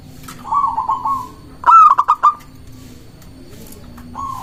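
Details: Zebra dove of a local strain, song meant to draw and provoke rival doves: a soft rolling coo, then a loud phrase of four sharp clipped notes, and another coo starting at the end, over a low hum.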